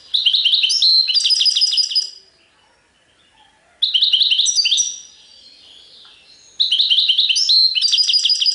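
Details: Three lively phrases of European goldfinch song in the sarfati and tiwawati styles, each two seconds of dense, high, rapidly repeated twittering notes, separated by short silences.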